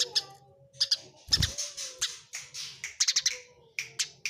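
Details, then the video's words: Fighting Eurasian tree sparrows produce scattered harsh chirps and squawky notes, irregular and uneven, with a brief low thump near the start and scratchy noise between calls. "suara greja tarung jernih"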